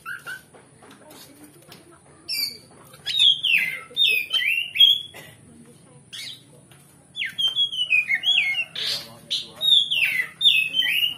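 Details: Kacer, the oriental magpie-robin, in a provoking ngeplong song with varied fill, played to stir another bird's fighting urge; two bursts of loud whistled, downslurred and harsh notes separated by a quieter pause with faint chirps and clicks.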